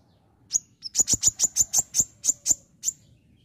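A white-eye gives a rapid run of about a dozen sharp, very high chips, roughly four or five per second, in imitation of a prinia's song.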